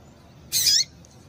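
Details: {'caption': 'One loud, high, slightly buzzy chip from a female seedeater, sliding downward at its end, given to stimulate a male to sing.'}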